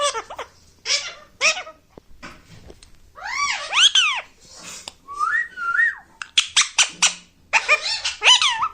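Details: Pet Indian ringneck parakeet in a small room giving a varied run of squeaky, whistled, speech-like phrases. Notes arch up and down in short bursts, with brief pauses and a sliding two-note whistle midway.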